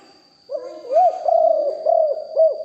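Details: Captive decoy spotted dove recorded live, giving one short phrase of soft, throaty coos, about five arched notes in under two and a half seconds, with a steady high-pitched hum behind.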